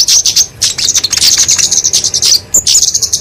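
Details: Kemade flowerpecker of genus Dicaeum singing its fighting song, used to train and attract small birds: a dense, shrill run of rapid tinkling notes with one short break before a final burst.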